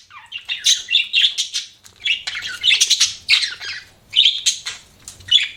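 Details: Budgerigar chatter in clustered bursts of high, raspy chirps and whistled notes, separated by short gaps.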